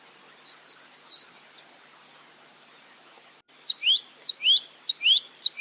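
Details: Velvet-fronted nuthatch, clear tutor recording in 'roll tembak' style. Faint high scattered chirps first, then a short break. Loud phrases follow: a crisp tick, then a rising whistled slur, repeated steadily.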